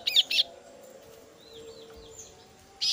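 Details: A female kasu-kasu chick begs for its parent with two quick raspy bursts, then a pause filled by soft thin whistles, ending in another loud harsh note.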